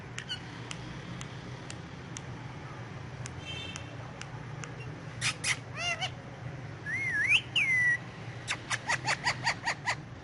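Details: Pet Indian ringneck parakeet talking in Urdu/Hindi while sitting on pillows; scattered clicks first, then a burst of harsh harmonic syllables and a looping whistled phrase, followed by a quick run of short clipped notes.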